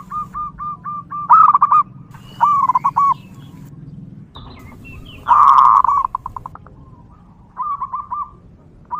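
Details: A wild local zebra dove calls in nature, a long recording suited to luring other zebra doves: soft, low cooing phrases of rapid trills of short notes, then rolling, drawn-out coos, repeated with brief pauses.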